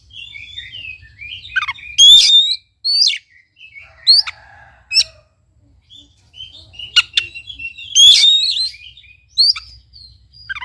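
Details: Oriental magpie-robin song to stimulate a quiet bird: varied whistles, harsh buzzy bursts and sharp clicks, two loud rising phrases around seconds two and eight, faint hum underneath.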